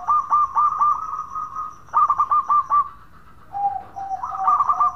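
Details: Local zebra dove singing often, used as a lure recording to prompt other doves to sing: rapid bursts of short, pulsed, mellow coos near one pitch, with a pause, then a lower drawn note and further trilled coos.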